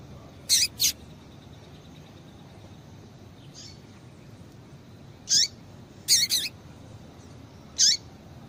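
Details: Calls of a female double-collared seedeater, used to stir males to sing: brief harsh high-pitched buzzy notes, some in quick pairs, spaced irregularly over constant background hiss.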